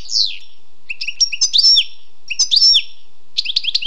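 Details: Wild European goldfinch giving a descending sweep, then repeated twittering phrases with bright slurred notes and a closing quick trill.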